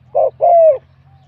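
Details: Spotted dove, a wild-caught bird entered in a singing contest with a medium-to-large voice, gives one short rough note and then a sustained coo that slides gently downward.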